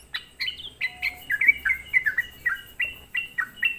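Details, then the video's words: Short burst of sooty-headed bulbul lure song aimed at angering other bulbuls: clear, sweet chirps sliding downward, a couple of higher notes at the start, then a regular rhythm about three per second. "semua burung trucuk di buat emosi dengan suara pancingan trucukan gacor ini"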